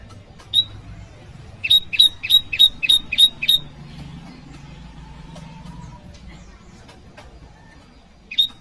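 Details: Bar-winged prinia voice used for calling rivals and luring wild birds: a single high chirp, then a steady run of seven sharp metallic notes about a quarter second apart, a faint low hum below and one final chirp.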